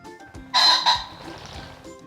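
A pheasant gives a loud, harsh two-part call, a rasping burst followed quickly by a shorter second note, over soft background music.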